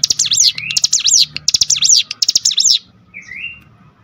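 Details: Cinereous tit singing as bait to rouse other tits: rapid run of clicking notes and high arched whistles for nearly three seconds, followed by a faint short whistle.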